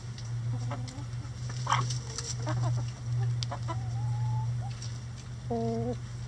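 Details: Chickens in a run pecking at a hanging cabbage ball for enrichment; scattered short clucks and a few drawn-out, tonal, slightly rising calls over a steady low droning hum.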